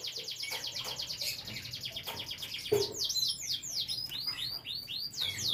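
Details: Canary kept for breeding alongside young canaries: a continuous run of fast, rolling high trills, then a string of sharp downward-sweeping whistled notes repeated several times a second, with a faint low hum underneath.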